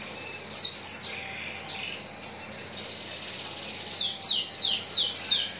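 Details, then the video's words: Javan bush lark from Citra Raya, Cikupa, prepared for contest hanging: spaced high down-swept chirps, a few early, a pause, then a quick string of four or five rapid falling notes. "branjangan parva joss siap gantang"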